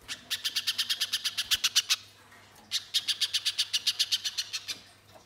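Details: Spiderhunter lure song meant to set other birds singing: two long runs of rapid, shrill, high chirps, about ten per second, separated by a short quiet gap.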